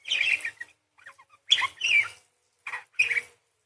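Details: Parakeet described as singing vigorously ('gacor'), a full practice set of long shots, rapid chatter and rolls meant for training songbirds: three harsh, chirping bursts of chatter with short gaps between them, with a few faint notes in the pauses.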